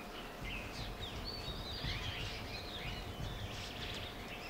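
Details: Ringed plover on the Ramganga river bank, Corbett National Park, Uttarakhand, India, gives soft, fluty, rising calls that overlap throughout, over a steady low hum and rumbling wind noise.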